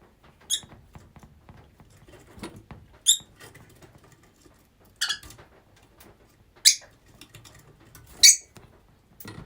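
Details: Rosy-faced lovebirds kept as a group indoors. Single piercing, squeaky shrieks come about every one and a half to two seconds, over a soft background of pattering and rustling.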